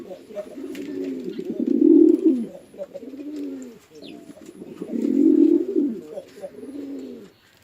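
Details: Male and female pigeons fighting on a house pigeon farm in Chittagong District, Bangladesh: two loud bouts of low, throaty rolling coos, each swelling to a peak and then trailing off, with softer coos between.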